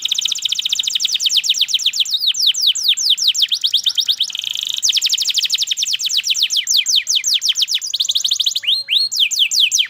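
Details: Canary in song: long, fast rolling trills of repeated downslurred whistled notes, broken by a brief buzzy tone, then another sustained trill series and a final burst of rising notes.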